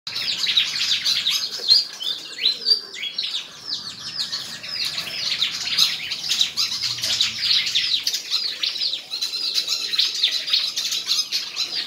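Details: White-throated fantail singing in a song contest at Tân Qui, Củ Chi, Vietnam: dense, continuous high twittering with quick tinkling and sliding notes, steady chattering phrases running throughout with no pauses.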